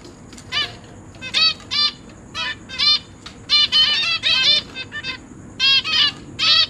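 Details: Zebra finches kept in a cage, parents busy feeding newly hatched young while older juveniles are about. Repeated nasal, stacked calls arrive roughly every half second, irregular, some overlapping.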